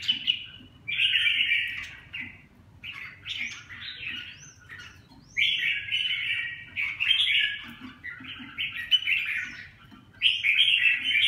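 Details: Red-whiskered bulbul delivering a series of rich warbling phrases, each one to two seconds long with short pauses, bright and chattering, over a steady low hum.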